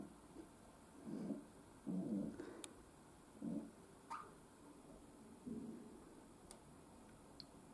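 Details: Pet domestic pigeon calling indoors: a series of low, soft cooing bursts, about five within eight seconds, over a steady electrical hum, with a few faint clicks and taps.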